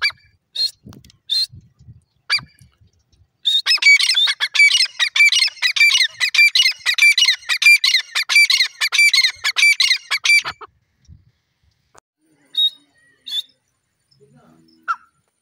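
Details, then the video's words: Black francolin (teetar), Sindhi and Irani teetar: a few separate harsh notes, then a dense rapid run of grating, harmonic-rich notes lasting about seven seconds, followed by scattered single clicks and notes. "teeter bird ki 1 houre awaz,sindhi teeter,irani teeter awaz"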